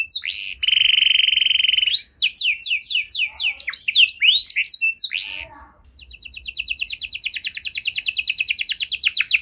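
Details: Canary singing vigorously with special phrasing, intended to stimulate stalled canaries. It opens with a sustained flat whistle, then a burst of mixed quick notes. After a short pause comes a fine, rapid, even trill.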